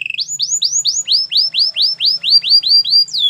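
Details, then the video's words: Canary training song: a series of rising slurred whistles, about four each second, shifting slightly lower midway, with a faint low hum underneath. "Canary's most powerful song for training"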